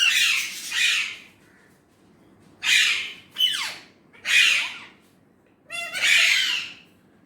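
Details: Indian ringneck parrot, described as a talker of Urdu/Hindi, gives two joined harsh calls, a pause, then four separate screechy squawks, some sweeping downward, the last ending in a rapid trill.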